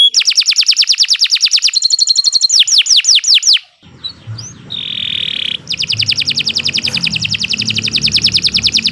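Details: Canary singing a long, unbroken master song meant for training: dense rapid trills and slurred whistles, a pause with low rumbling background, a sustained buzzy note, then fast repeated high trilling returns.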